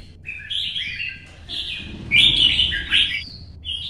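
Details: Solo competition singing by a pet red-whiskered bulbul in early-morning sun, meant to stir other birds. Quieter warbled, slurred phrases build into a loud rich burst near the end, over a soft low rumble.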